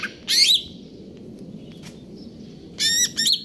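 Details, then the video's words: Greater green leafbird, konslet kejer nembak style: two short clusters of bright, sharp whistled and squeaky notes, with a long quiet stretch between them. "cucak ijo konslet kejer nembak"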